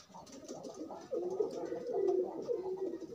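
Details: A courting pigeon pairing up outside a cage, a soft muffled murmur leading into a sustained low, warbling coo that dips and swells.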